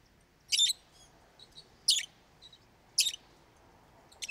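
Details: Lovebird calling loudly: sharp, scratchy high chirps spaced about a second apart, with softer brief squeaks in the gaps.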